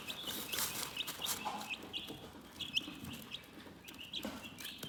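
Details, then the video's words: Soothing chicken chirps: clear, short high peeps repeated in an uneven run, with brief bright clicks and a few loud scraping bursts early on. "Chicken Relaxing Soothing Chirping Sounds"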